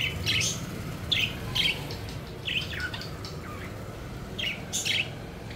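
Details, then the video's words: Playful pet budgies flying about, making short bright chirps and squeaky notes in clusters roughly every half second to a second, with a low rumble in the background. "Budgies Having Fun: Playful Birds Flying and Chirping Joyfully"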